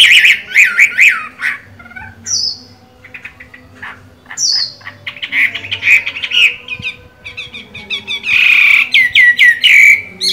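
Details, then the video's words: Chinese hwamei with so-called green-bean eyes, singing while moulting: loud, varied whistled phrases around the upper-middle register, rapid trills and sharp high notes, with short pauses between bursts and a brief high flourish near the end. "Họa mi hót hay, mắt lục đậu, vẫn phong độ khi thay lông"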